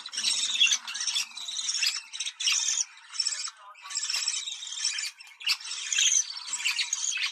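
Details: Budgerigars chattering for breeding stimulation: rapid, harsh, buzzy warbled phrases in bursts of one to two seconds with short silences, squawky and high-pitched.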